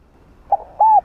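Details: Spotted dove, known locally as cu đất, in field-voice cooing for training decoys: a brief broken note followed by a smooth, level, hooting coo.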